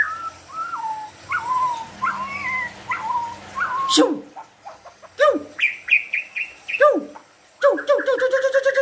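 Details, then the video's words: White-rumped shama in full song imitating wild animal sounds, beginning with soft wavering whistles, then loud sharp clicks, falling slurs and a fast repeated trill of chirps. "Murai batu gacor full isian suara hewan liar"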